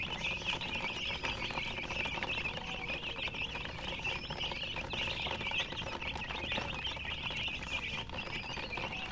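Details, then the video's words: Chickens, described as colour chickens, chirping: a dense, continuous chorus of high, rapid, overlapping peeps from many birds at once, with steady background hiss throughout. "silly chicken chirping sounds with murgi hen color chicken"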